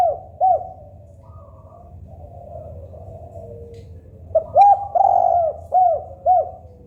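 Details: Spotted dove, local tekukur, sings a low, mellow cooing phrase of repeated short arched notes and a longer drawn coo, with a quiet gap of low hum before the phrase returns.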